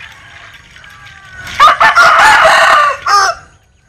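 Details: Linh Kê rooster giving an unusual crow: after quiet background, a loud harsh broken crow of about two seconds with several choppy bursts, ending in a separate short rough note.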